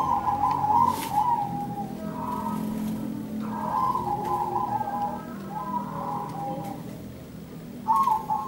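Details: Zebra doves answering each other with bursts of rapid trilled coos separated by quieter gaps, over a low background hum and an occasional sharp click.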